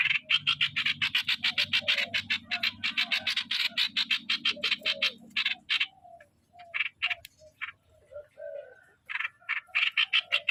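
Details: Streak-eared bulbul kept as a decoy bird, singing in the so style: rapid, harsh, buzzy notes repeated about four times a second, with a short pause midway and softer low notes between, over a steady low hum.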